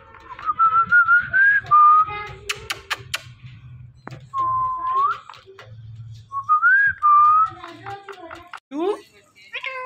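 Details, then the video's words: Indian ringneck parrot talking in a mix of clear whistled phrases and muffled speech-like sounds, with several smooth rising-and-falling tones, brief sharp clicks, and a low background hum. "Funny Indian Ringneck Parrot Talking Compilation"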